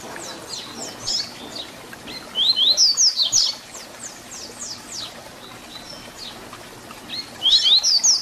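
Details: Fibra 'Tui Tui Zel Zel' song of a double-collared seedeater, meant to teach young birds: soft, rapid high strokes run between two loud bursts of bright, zig-zagging whistled notes, about five seconds apart.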